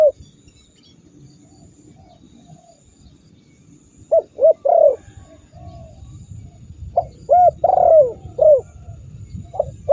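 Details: Spotted dove recorded as a master call meant to provoke rival birds into calling, silent at first, then clustered mellow coos, some with downslurred endings, arriving in two bursts over low rumbling background noise.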